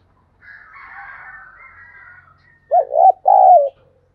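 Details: A spotted dove kept as a lure, cooing to draw wild doves. First a faint, drawn-out, higher wavering call, then a loud low coo sequence: two short looping notes and a longer, smooth, gently falling note.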